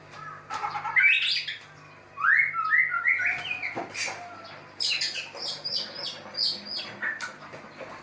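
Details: White-rumped shama during mating, loud rising whistled phrases repeated in short runs, followed by rapid rhythmic clicking chatter; steady low-pitched hum behind.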